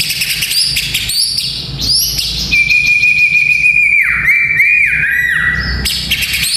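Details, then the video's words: Song of a white-rumped shama played to build the nerve of young fighting males: quick upslurred whistles, then a long steady whistle dropping into looping bouncy notes, ending with high bright phrases; faint low hum behind. "Murai Batu Fighter - Suara Ini Melatih Mental Fighter Murai Muda"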